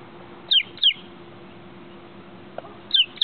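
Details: Baby chicken chick peeping: four sharp, high peeps that each slide quickly downward, given in two close pairs about two seconds apart, over a faint steady low hum.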